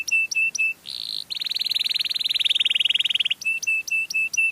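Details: Canary song for luring other canaries: clipped repeated whistled notes frame a long, fast rattling trill lasting about two seconds.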